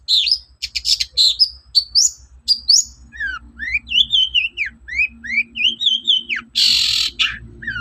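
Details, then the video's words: Long-tailed shrike (cendet) morning song used as a lure for other shrikes: quick varied whistles and slurred notes, then a string of rising and falling whistled phrases ending in a harsh burst, with a low steady hum beneath. "SUARA PANCINGAN BURUNG CENDET GACOR PAGI HARI"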